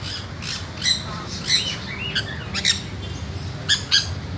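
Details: Pet sun conures, described by their owner as very naughty, give short harsh squawks and sharp chirps in quick irregular bursts, about a dozen over four seconds, over a steady low background hum.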